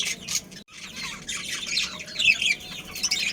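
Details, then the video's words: Kept budgerigars, a breeding pair among a colony, produce rapid high chattering chirps and squawky warbles, briefly pausing near the start before the busy chorus returns. "Cute Budgies Chirping Sounds"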